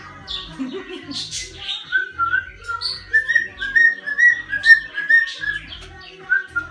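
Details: Diego, a pet male sulphur-crested cockatoo, rattles off a quick string of whistled, speech-like notes that waver up and down at a middling pitch, with a few soft low knocks.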